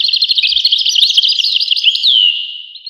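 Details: European goldfinch song, a quick jangling run of twittering notes ending in a downslurred whistle, loud and clear with no other sounds.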